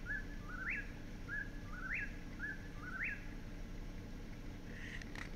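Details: An Eastern Whip-poor-will at Bashakill Preserve, New York whistles its three-part 'whip-poor-WILL' song about once a second, each phrase sweeping up sharply and dropping, over a steady low rumble.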